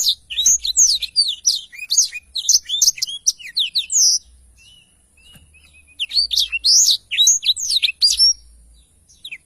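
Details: Black-throated canary in full, lively song, used as a tutor recording for training songbirds: dense strings of high, fast, sweeping chirps and trills in two long phrases with a short quiet gap between them.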